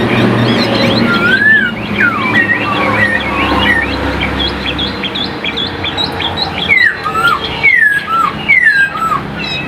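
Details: Chinese hwamei held in a cage in Vietnam, noted as a good singer, gives loud slurred whistles and downward-swooping notes between busier chattering phrases, with a low rumble in the background.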